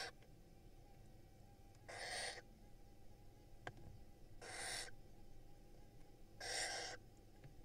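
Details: Hissing, rasping screeches of barn owl nestlings in an Israeli nest box, fed by their mother, from a clutch of five eggs laid in spring 2022; three breathy bursts spaced about two seconds apart over faint background hum.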